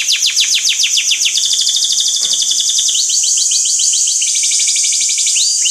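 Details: Five canaries in a training song deliver long runs of rapid repeated downward-swept notes, shifting into fast rolling trills and a dense high chorus of overlapping singers.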